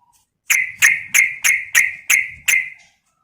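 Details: Female yellow-vented bulbul calling a male: seven short bright chirps, evenly spaced about three per second, each with a quick ringing tail, after a brief faint note at the start.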